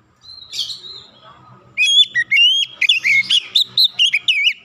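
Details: Oriental magpie-robin lure song aimed at making silent birds sing: a soft warbled opening, then loud, rapidly repeated sharp whistles and chips about twice a second.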